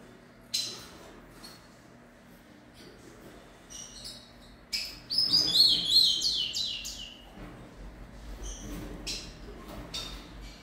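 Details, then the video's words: Three-month-old rufous-collared sparrow fledgling practising song: a lone high chip, a quiet pause, then a rambling run of thin, twittering high notes that slides downward near the end. "Tïco tico filhote cantando com 3 meses"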